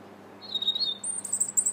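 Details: European robin singing in winter on 21 January 2017, heard from a bridge in the Linear Park, Bath, England: a thin, wavering mid-pitched phrase followed by a rapid run of very high, squeaky, tinkling notes, with faint low background hum.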